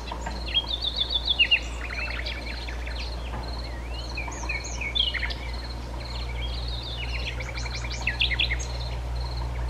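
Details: Common nightingale of the nominate subspecies singing at Sithonia, Chalkidiki, Greece, on 10 May 2020: loud rapid stuttering notes repeated about eight times, then varied slurred whistles, swooping calls and dense trills, over pulsing high dashes and low hum.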